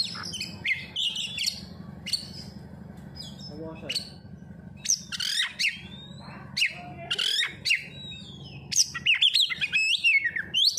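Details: Kacer lure song meant to get oriental magpie-robins singing: scattered sharp, high whistled notes and quick chips, growing denser and louder near the end, over a low steady hum.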